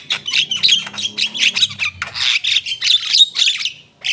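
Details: Javan myna singing continuously, a fast run of rasping, buzzy chatter notes repeated several times a second, with a faint low hum underneath.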